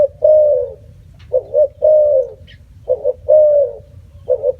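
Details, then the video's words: Spotted dove coos in low, mellow phrases: a long drawn note followed by a quick doubled coo, repeated about every one and a half seconds. "សម្លេងសត្វរលក . Bird sound spotted dove"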